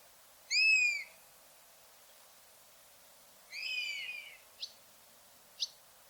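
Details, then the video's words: A buzzard gives two high, drawn-out mewing calls that slur downward, the second longer and rougher, then two brief sharp notes, against a quiet background. "Buzzard Sound"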